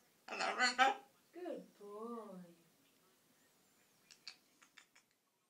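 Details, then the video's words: A young male blue-and-gold macaw, just over 12 months old, talks to himself in a small room: a harsh, throaty squawk, then drawn-out, wavering speech-like words ("hello"), laughing and giggling, followed by soft clicks and taps. "Macaw Parrot Rainbow Laughing Giggling Talking to himself"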